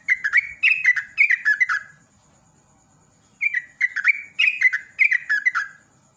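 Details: Sooty-headed bulbul (trucuk) singing in rapid 'ropel' style to prompt other birds: two lively bursts of liquid, slurred chirps, each about two seconds long, split by a pause.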